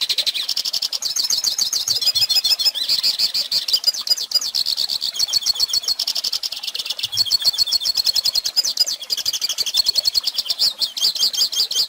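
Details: Goldfinch singing for young birds to learn from: a long, nonstop, high twittering song of fast chirps, rattles and brief buzzy trills lasting about twelve seconds.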